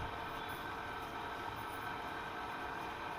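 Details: Constant loud hiss and mechanical rumble, with no voice or animal sound.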